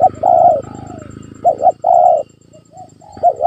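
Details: Spotted dove cooing, played to provoke a quiet pet dove in Indonesia into calling: low hollow coos in a double-note-then-long-coo pattern, repeated about every one and a half seconds, with a faint steady high whine.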